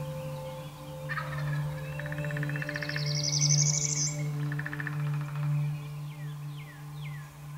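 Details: A wild turkey gobbler in Kansas, at about 5:30 am under a full moon across an open meadow during a spring hunt, gives a rapid, rattling gobble, a burst of quick throaty notes lasting a few seconds, over a steady low hum and faint songbird chirps.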